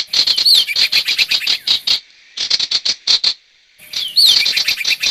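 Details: Sirtu calling in a trapping lure recording, quick bursts of sharp chirps separated by a two-second gap, with scratchy twittering phrases at start and end.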